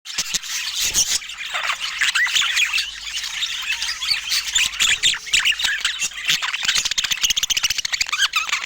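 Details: Budgerigars filmed in natural Scandinavian light, calling with dense, scratchy chatter of overlapping squawks and chirps filling the upper range throughout, with no music or speech.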